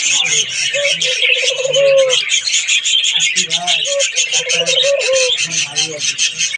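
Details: Australian doves in an aviary give soft, low coos in short rolling phrases, repeated every second or two, under constant high chatter and twittering from many small birds.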